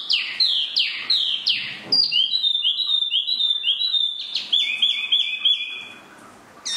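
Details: Spot-throated babbler, known locally as tieu mi, singing a loud varied run: sharp descending slurs, then a long chain of clear whistled notes repeated rapidly, ending with a few bright rising phrases.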